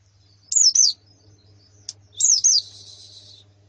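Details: White-eye calls from a female and colony, used to spur a male to sing: two pairs of high, looping slurred notes, the second pair trailing into a buzzy, fading hiss.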